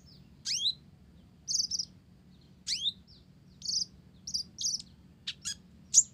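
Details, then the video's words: Blorok olive-backed sunbird in full song with Java sparrow mimicry. High falling chirps alternate with short buzzy notes, grouped in brief bursts about a second apart, over a soft low background hum. "Konin Blorok Gacor isian Gelatik"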